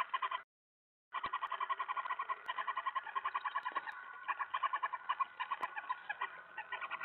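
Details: Owl during a mouse delivery at feeding, 2:07 AM, July 25, 2017; brief silence, then steady rapid rasping notes repeat several times a second, loud and harmonic throughout.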